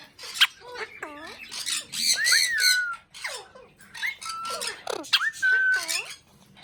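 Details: Ringneck parrot imitating speech: harsh syllables, looping warbled notes and clear sliding whistles, delivered in irregular bursts over several seconds.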